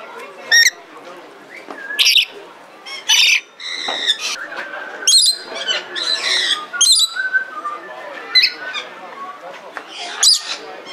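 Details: Captive Red lory at the Belgrade zoo in Serbia, 2022: piercing screeches spaced irregularly over eleven seconds mixed with buzzy, grating chatter and squawks between them.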